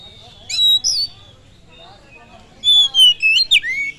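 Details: Oriental magpie-robin song used as a lure to rouse other birds: a pair of clear whistles, a quiet gap, then a bright run of slurred notes finishing with a downward swoop.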